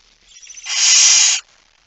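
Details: Near midnight on 17 September 2019, a male barn owl brings a mouse: one loud, drawn-out hiss that swells gradually, holds steady for about three-quarters of a second, then stops abruptly.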